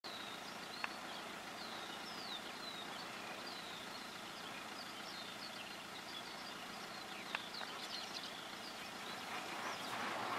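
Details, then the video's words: A greater short-toed lark (Calandrella b. brachydactyla) in the Crau, France, in May 2018, gives a faint, distant run of short, dry, fairly high chirps and twitters over steady hiss and a couple of sharp clicks. "Alouette calandrelle (Calandrella b. brachydactyla) Greater Short-toed Lark"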